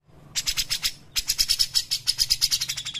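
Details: Grey-cheeked bulbul, cucak jenggot, used as training audio for other birds: a short run of bright chips, a pause, then a longer, fast, even series of high chattering notes.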